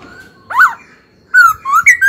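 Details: Brief burst from a young pet laughingthrush: one swelling arched whistle, then a quick string of loud fluting notes rising step by step, over faint indoor background noise.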